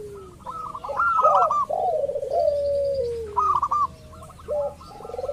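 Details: Zebra dove lure, local birds, meant to set others calling; a rippling trill flows into a long, slowly falling coo, then more rolling phrases and faint clipped notes, with a faint high whistle.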